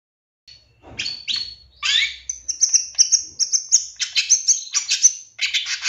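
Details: Long-tailed shrike, a 2023 champion, giving a lure song to spur shrikes into quick, agitated singing; scratchy rising phrases leading into a fast string of high, thin, piercing notes.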